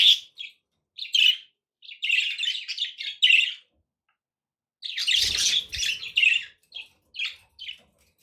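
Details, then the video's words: Chattering pet budgies, played to encourage a parrot to eat and sing, give quick clusters of high scratchy chirps and warbles, pausing for about a second before a longer burst and a few scattered tweets. "budgie sounds to encourage your parrot to eat and sing"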